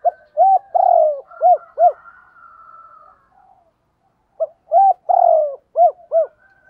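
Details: Spotted dove (Spilopelia chinensis) giving low, hollow coos in two short phrases separated by a pause, a cooing and luring call.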